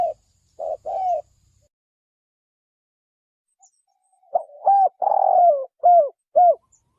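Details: Spotted dove decoy cooing for trapping: three soft coos, a silent gap of about three seconds, then a fast run of short hooked coos around one longer raspy croon.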